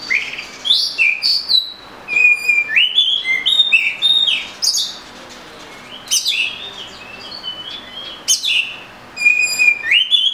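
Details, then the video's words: Oriental magpie-robin singing a rich, rapid series of whistled notes and slurs, many phrases repeated in quick succession, with a short quiet spell midway. "Murai Kampung/ Magpie Robin"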